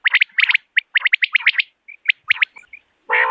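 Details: Common quail giving a clear, natural call: quick bursts of short, sharp chirped notes, mostly in twos and threes, crowded together. A brief harsh, nasal burst ends the sequence.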